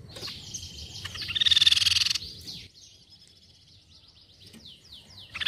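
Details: Crescent-chested babbler call played as a lure: one quick buzzy pulsed trill near the start, then a series of faint downslurred whistles from other birds.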